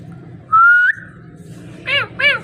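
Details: Talking parrot producing a level whistle lasting under half a second, a quieter trailing tone, then two short harmonic, nasal squawks.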